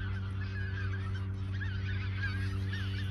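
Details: Autumn geese at the Ochsenmoor nature reserve in 2022, days before flying south; several honks overlap in a continuous chorus, set against a steady low rumbling background.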